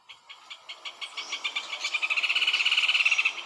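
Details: Rufous hornero, the mud-nest-building bird, singing: a rapid accelerating series of sharp, ringing notes that speed up into a loud, dense trill before stopping.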